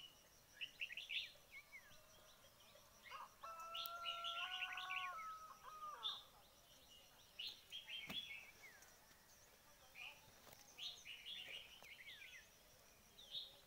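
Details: Red-whiskered bulbul calls used as a lure for bird trapping: bright, chirpy notes in short clusters throughout. A long, steady, tonal note with harmonics, like a distant rooster crow, sounds midway, over a soft outdoor background.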